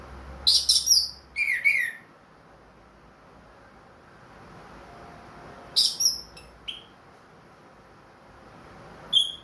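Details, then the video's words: Caged, ringed orange-headed thrush, singing diligently again after finishing its moult: two bursts of loud, high, warbled and slurred whistled phrases, each about a second long, separated by several seconds of quiet, plus one short high note at the end. "MERANGSANG ANIS MERAH BUNYI PLONG"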